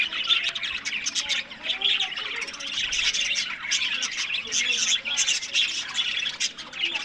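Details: Pet budgerigars kept for breeding give continuous high, scratchy warbling chatter with rapid chirps and twittering trills. Several birds overlap without pause, and there are faint low clicks in the background.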